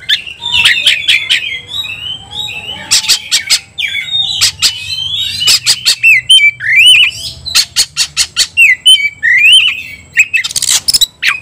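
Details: Oriental magpie-robin fighting song, meant to spur other magpie-robins into vigorous singing and fighting: loud varied whistles, some rising and falling, broken by harsh sharp bursts and rapid clicking notes, with short pauses between phrases.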